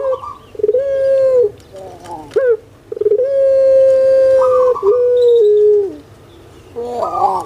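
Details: Caged pelung collared dove from Indonesia: short wavering calls, then a long steady coo that drops in two steps, with a quick trilling burst in between; used to coax quiet doves into calling.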